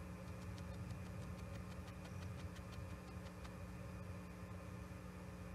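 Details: A low, humming engine drones throughout with a steady tone and a run of sharp knocking clicks, and no animal voice is heard.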